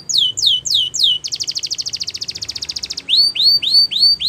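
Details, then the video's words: Champion canary singing for training: four downslurred high whistles, then a fast even buzzing trill of many pulses lasting nearly two seconds, ending with repeated bright rising upswept notes. "Canary Training Champion Song"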